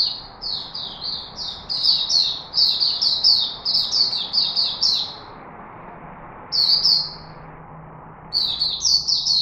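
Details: Chickadee recorded in Singapore, 4 March 2021, pouring out a long rapid series of sharp, high, falling chirps, then two short bursts after brief pauses, with a quiet low hum throughout.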